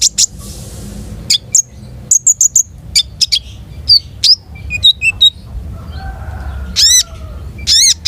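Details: Long-tailed shrike singing a rich 'gacor' repertoire: scattered sharp high chips and short trills, then several loud harsh downslurred notes near the end, with gaps between phrases and a low steady hum behind.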